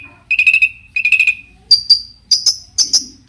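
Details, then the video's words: Cendet, the long-tailed shrike, singing lively variations that provoke others to reply. Two harsh rattling phrases are followed by a run of higher, sharp clipped notes that come faster toward the end. "cendet gacor Variasi BIANGNYA bikin cendet lain emosi ikutan bunyi langsung NYAUT"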